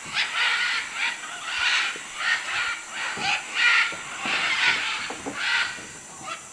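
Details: A busy burst of macaw squawking in Manu, Peru, with short, scratchy, overlapping calls tumbling out irregularly over a steady background hiss.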